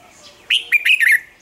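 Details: Red-whiskered bulbul singing in the morning, sound used to train other bulbuls: a single brisk phrase of three or four ringing, warbled notes with downward slurs at the end, clear against a quiet background.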